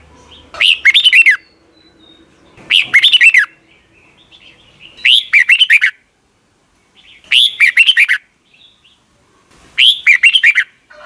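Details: Thai caged Red-whiskered bulbul song, used as a daily morning lesson for young birds to copy. Five bright, slurred whistled phrases come at a steady pace, roughly every two seconds, separated by near silence.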